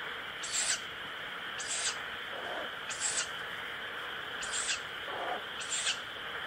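An owl chick gives harsh, hissing 'pish' screeches, one every second or so, over a steady high whine, likely insects.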